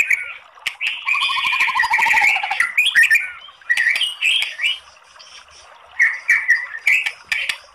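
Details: White-rumped shama song with long rapid bursts, used to provoke singing: scratchy chattering phrases and clicks with a falling series of quick repeated notes near the start, then pauses and more warbled phrases.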